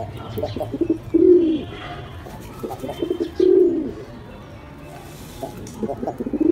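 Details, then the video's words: Pigeon giving two deep, rounded coos about two seconds apart, with faint background music and soft rustling between the calls. "Gerçek Güvercin Sesleri"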